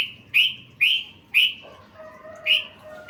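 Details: Yellow-vented bulbul song, full of learned phrases and used as a tutor recording for training songbirds: loud, bright chirped notes repeated about every half second to second, with softer steady whistled tones running between them.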